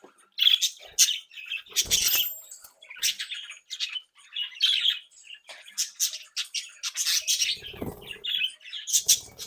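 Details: Active, playful flock of home-bred budgerigars singing and tweeting indoors: continuous busy warbling with squeaks and rasping squawks, several birds overlapping, plus a brief low knock.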